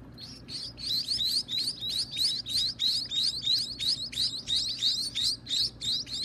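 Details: Baby birds at feeding time, kept by their owner, calling in a steady run of high, buzzy, upslurred chirps, about three per second, loud and insistent throughout.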